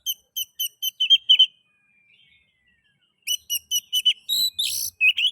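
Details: Oriental magpie-robin singing, to stimulate other magpie-robins into song: rapid series of clipped, evenly spaced high chirps, a long thin descending whistle, then more repeated chirps and a few rougher buzzy notes.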